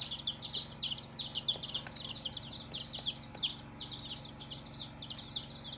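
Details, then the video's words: Many colored chicks keep up a continuous chorus of high, downslurred peeps, with a few faint clicks and a low constant hum in the background. "Baby "Chicks Chirping" Sound"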